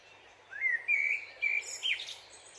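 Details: Dipper giving a short phrase: a rising whistled note that levels into sustained clear whistles, broken by brief buzzy, rasping high bursts near the end. Constant rushing water noise beneath.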